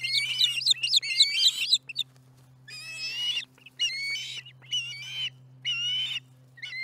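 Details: Osprey at the Charlo nest in the late afternoon of July 15, 2019, chattering through a meal: bursts of sharp, high whistled chirps in clusters separated by brief pauses, with a faint constant low hum behind.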